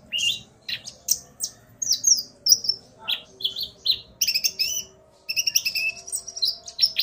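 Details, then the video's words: Excited male common iora answering a calling female: clear whistled notes and buzzy chirps in quick succession, a short pause, then a steady series of bright repeated notes, with a low hum underneath. "Burung Konin Pancingan EMOSI agar burung bahan gacor"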